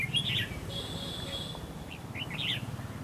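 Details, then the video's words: Decoy red-whiskered bulbul in a trap set to lure rival bulbuls: a short chirpy burst opens, then a thin steady whine drifts through the middle, and a lively, slurred warble of three or four notes ends it. "bẫy đấu chào mào"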